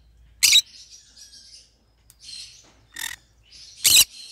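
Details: Singing green-cheeked conure kept as a pet: quiet high warbling chatter punctuated by four harsh squawks, the loudest at the start and end.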